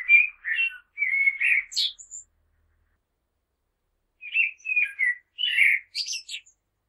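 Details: Two separate song phrases from a common blackbird: mellow warbled whistles closing with squeaky high notes, split by a few seconds of silence.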